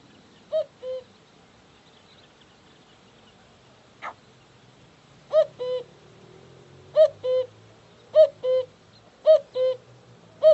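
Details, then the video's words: Cuckoo calling a falling two-syllable cu-ckoo; one call, a pause broken by a single sharp click, then a quickening run of four more calls about a second apart. "The cuckoo sound"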